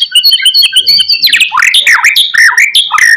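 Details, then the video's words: White-rumped shama song used as a master track to make other shamas answer: clear whistled notes near the start, then a rich run of loud swooping, sliding phrases with sharp high ticks, varied and fast. "HITUNGAN MENIT SAJA, MURAI BATU APAPUN LANGSUNG NYAUT"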